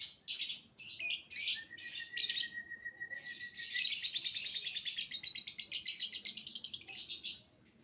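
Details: Young lovebird in full, nonstop song, a violin-type voice used as a lure to set other lovebirds singing: shrill chattering bursts, then a long steady whistled note, followed by rapid, evenly pulsed high trilling.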